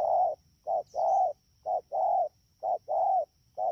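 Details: Wild-caught spotted dove in the rainy season at Đak Tô, Vietnam, 3 October 2019, cooing fast: low, soft, hooting notes in short-then-long pairs, about four pairs in under four seconds, with a thin steady high whine behind.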